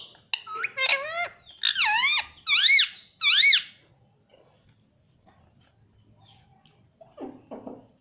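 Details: Pet rose-ringed parakeet imitating speech indoors: four loud wavering harmonic syllables in quick succession, then quiet, with soft low sounds near the end.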